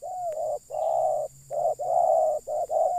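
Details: Spotted dove calling loudly while wild doves are being lured: a rapid run of long, level, mellow coos broken by short clipped notes, with almost no pause between them.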